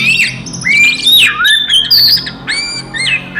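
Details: Oriental magpie-robin fighting song meant to stir rival magpie-robins: a few drawn-out, pure whistled notes, some rising and some swooping down, separated by short gaps, with a low hum beneath.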